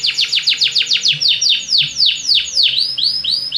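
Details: Singing Belgian canary, a song for encouraging other birds: steady run of loud downward-sweeping notes, about four per second, slowing slightly toward the end.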